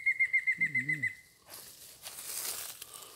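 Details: Mayan Antthrush filmed in Yucatán, Mexico, in March 2019: the close of a quick string of bright whistled notes that trail slightly downward, with a soft low wavering sound beneath, then rustling and breezy noise.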